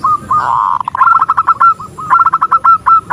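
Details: A female zebra dove calling for the male: a brief buzzy note, then two bouts of rapid rolling coos that slow into evenly spaced clipped notes.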